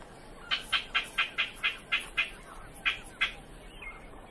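Knobbed hornbill giving a quick run of sharp, high yelping notes, about four a second, then a short pause and two more. Background is quiet.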